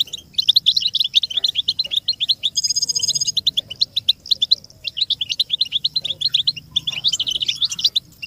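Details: American goldfinch song from a tape to teach chicks: long sequences of quick high chirps and trills, with a brief buzzy, steady-pitched note partway through.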